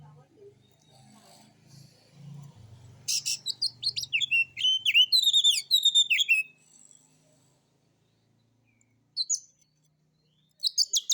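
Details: White-rumped shama lure song: after a low humming background, a loud run of sharp clicks and fast descending whistled notes, then brief high bursts separated by silence.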